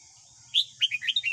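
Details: Morning song of a red-whiskered bulbul kept for training young captive birds: a brief rapid burst of loud, bubbly whistled notes rising and falling, over faint background hiss.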